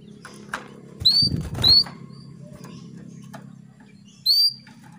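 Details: Female canary calling to a male to stir him into breeding condition; three clear upward-sweeping whistled calls with a quiet gap between, over low background hum and faint clicks.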